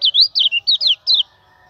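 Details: Common iora song used as a lure for training other birds: a quick run of loud whistled notes, sweeping up and down, about six phrases in a little over a second, then quiet.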